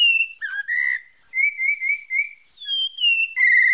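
Pale-breasted thrush singing a varied run of clear, mellow whistled phrases, some slurred and warbled, in short bursts separated by brief pauses.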